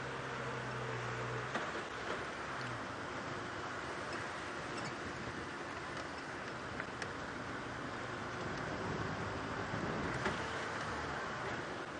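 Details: A steady rumble of a vehicle engine and road noise, with a brief low hum at the start and no clear animal calls.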